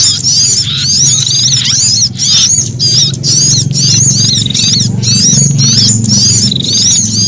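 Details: Frightened, threatened sunbird calls mixed with prinia sounds, used as a lure for wild birds. Rapid, high, wavering squeals repeat about twice a second over a steady low hum.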